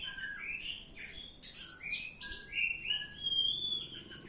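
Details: Ngeplong-style singing from an Oriental magpie-robin, with rising and falling whistled notes, sharp buzzy bursts and a long sustained pure whistle near the end.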